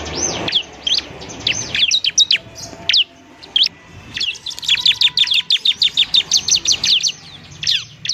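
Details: Ciblek (Bar-winged Prinia) in gacor singing form, a recording played to train untrained birds to sing. Rapid high chirps and sharp down-slurred notes in dense bursts, with a brief gap, then a fast run of evenly repeated chips.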